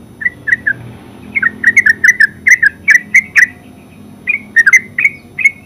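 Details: Yellow-vented bulbul, known locally as terucuk, in full 'ngeropel' song: rapid bursts of bubbly, liquid notes around a steady mid pitch, grouped in quick runs separated by short pauses, with faint background hum.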